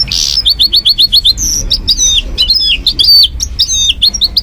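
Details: A caged goldfinch mule singing at night: a fast series of bright, high twittering notes and sweeping whistles.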